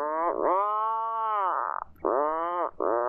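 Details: Atlantic puffin at a cliff coast on a small island: a long, rich, low moaning call that sags in the middle, then two shorter groans follow in a rhythmic series.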